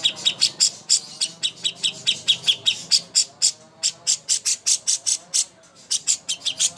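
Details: Leafbird master song meant for preparing contest birds: a long, steady series of sharp, high chirps repeated several times a second, with a brief gap near the end before the chirping resumes.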